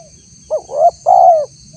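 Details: A single cooing phrase from a spotted dove lure recording meant to draw wild doves: a short upturned note, then two longer mellow hooting coos, over a faint steady high-pitched hum.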